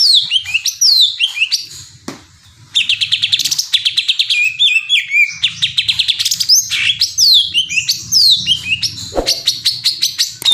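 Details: Greater green leafbird (cucak ijo) singing a fast, varied medley: steep descending whistles, dense bursts of rapid high chirps and trills, briefly pausing near two seconds, with a low rumbling hum underneath.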